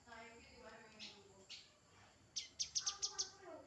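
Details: Grey-headed canary-flycatcher giving about six sharp, high notes in quick succession after a quieter stretch. Soft lower voice-like sounds come earlier.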